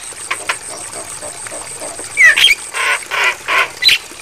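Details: Training song of the Javan myna, for playback to caged birds at night: a quiet start, then one looping whistle and a series of broad, harsh rasping bursts spaced roughly half a second apart.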